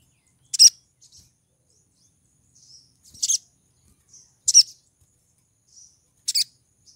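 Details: Calling female pied triller, in breeding condition, attracting a mate: four loud, shrill chirps spaced roughly every two seconds, each followed by softer high twitters, in an otherwise quiet setting.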